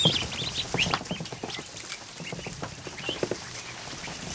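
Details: Over a hundred newly hatched ducklings in a kiddie pool inside a barn on an afternoon, giving a busy chorus of short high peeps, some rising sharply, over steady splashing and paddling in the water.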